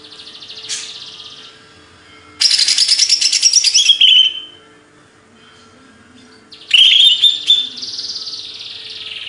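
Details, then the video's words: Greater green leafbird of the Banyuwangi type from Indonesia, a songbird kept by hobbyists, giving two loud bursts of bright, high chattering and twittering song with a sliding whistled phrase, separated by quiet pauses, over a steady low hum. "Cucak ijo | Hyper Ori Banyuwangi"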